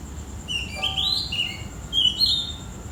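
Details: Oriental magpie-robin singing in the early morning, between 4 and 5 a.m.: a few clear, sliding whistled phrases, high and warbling, separated by short pauses over a faint steady hiss.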